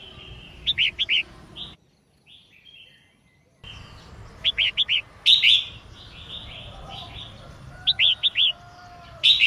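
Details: Female red-whiskered bulbul singing to excite males into song: quick clusters of three or four sharp high chirps repeated several times, broken by a brief near-silent gap, with some softer warbling between bursts.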